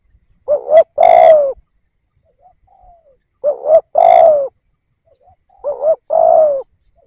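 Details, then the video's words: Spotted dove decoy bird calling to lure wild doves: a short two-part coo and then a long, drawn-out coo that falls slightly, with the phrase repeated every two and a half seconds. "Tiếng Cu Gáy / chim cu gáy kích bổi nhanh nổi"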